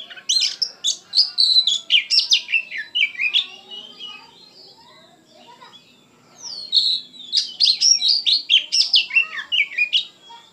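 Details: Oriental magpie-robin singing energetically, full of emotion: two bursts of rapid, varied whistles and sharp chirps at high pitch, separated by a quiet pause of about two seconds.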